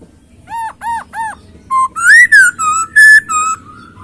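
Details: Masked laughingthrush giving three short arched whistles, then a fluent string of clear, slurred whistled notes, some rising and some falling, delivered rapidly and loudly.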